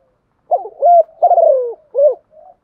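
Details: Decoy spotted dove calling in the morning to lure wild doves: one soft, low phrase of a short coo, a fuller coo, a long descending rolled note and a clipped closing coo, then a faint trailing note.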